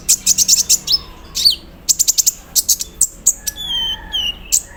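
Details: Morning song of a caged sunbird set out in the dew-misting routine. It runs in fast volleys of piercing high ticks, then shifts to thin, drawn-out whistles near the end, imitating an embroidery machine.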